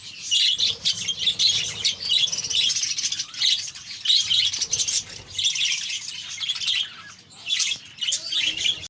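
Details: Noisy flock of budgerigars in a kept colony: overlapping high-pitched warbling and scratchy chirps in busy bursts, pausing briefly near the fourth and seventh seconds before resuming.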